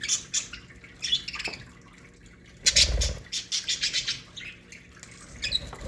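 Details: Budgerigar colony in an aviary: bright, warbling chirps and short chattering notes come in bursts, with a heavy thump near the middle and soft wing or movement noise.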